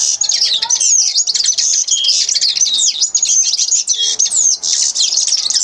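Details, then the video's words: Common linnet singing: a continuous, high-pitched stream of fast, varied twittering chirps mixed with short buzzy trills, rising and falling without pause for nearly six seconds. "carduelis cannabina singing"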